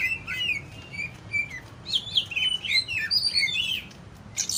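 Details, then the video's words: Greater green leafbird (cucak ijo) kept as a cage bird, starting with mellow slurred whistles, then breaking into a loud, twisting jumble of rising and falling chirps, with a brief high burst at the close. "cara membentuk burung cucak ijo biar lebih fighter"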